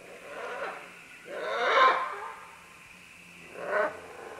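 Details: Harsh, raspy screeches from several green-winged macaws making their way down vines: a softer call, a loud drawn-out squawk, then a shorter one about two seconds later.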